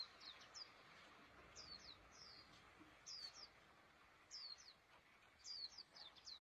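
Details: A pleci, or white-eye, sings actively in its cage. Short phrases of high, sliding chirps recur roughly every second or so, each a quick twittered cluster, with light hiss behind.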